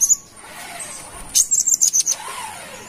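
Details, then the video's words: Kalimantan brown-throated sunbird, used as a lure sound: a brief burst of six or seven thin, very high chirps in quick succession after a single opening note. "Kolibri Wiceh Gacor / Pancingan Burung Manggar Kelapa"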